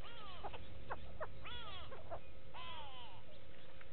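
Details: At Gowrie dam, Djuma Game Reserve, South Africa, 6 June 2018, go-away birds give short clipped notes, then two long, strongly falling nasal calls with a buzzy edge, over steady low hum.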